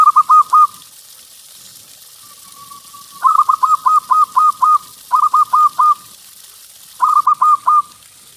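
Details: Local zebra dove singing loudly as a lure to set other doves off; four phrases of quick rolling coos, three to seven notes each, with a soft sustained tone between the first two, clean background.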